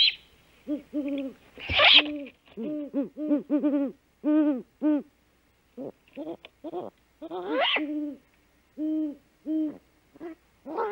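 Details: At dawn on 3 March 2018, a female great horned owl back at the nest gives the food call while her mate hunts; a long irregular run of low, arched hoots, some quick and stuttering, broken twice by a harsh, higher screeching burst.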